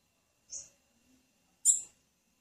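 A female blue-black grassquit gives two thin, very high chips about a second apart; nothing else is heard.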